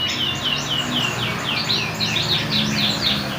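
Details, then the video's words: A young canary learning to sing: a run of high, quickly repeated descending whistled notes, roughly two per second, soft and even, over faint low background hum. "Si Merah belajar bunyi"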